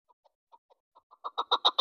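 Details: Hunting decoy chukar partridge starting its call: soft, widely spaced clucks that quicken and grow loud into a rapid chuck series, cut off at the end.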